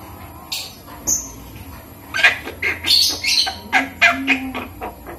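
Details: Young Javan myna, five months old, being taught human speech, giving squawky bursts and high whistled squeaks, clustered after a quieter opening, with a low hum behind.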